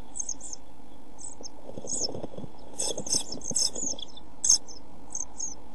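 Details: Thin, very high chirps from pied flycatcher nestlings in a nest box in short irregular bursts over low rumble, 27 June 2013, as the brood suffers food shortage and heat and the smallest chick dies.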